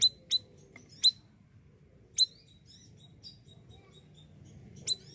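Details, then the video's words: Siri-siri bird from Indonesia, a lively singer used as a master for other songbirds: isolated piercing high chirps about once a second, with faint thin whistles between and a low steady hum beneath. "BURUNG SIRISIRI GACOR UNTUK MASTERAN,PANCINGAN JUGA OKEH"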